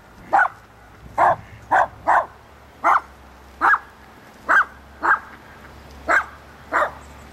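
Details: Wild Canvasback calling at Sechelt Marsh in Sechelt, BC, March 2011, with about ten short, hoarse, barking notes at uneven intervals, some doubled, over a faint low hum.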